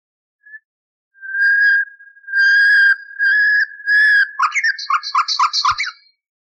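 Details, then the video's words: Nightingale song, cleaned from a recording at least thirty years old and used to teach canaries: a short note, four long, level whistled notes swelling in loudness, then a quick stuttering trill of clipped, rattling notes. "Bülbül Ötümlü Kanarya Eğitimi İçin Bülbül Sesi ve Ötüşü"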